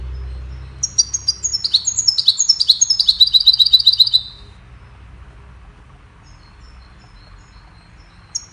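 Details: Goldfinch chirping a melody meant to teach songbirds: sharp high chirps open into a rapid twittering phrase ending in a fast dry trill, about three seconds long, followed by quiet and one last chirp.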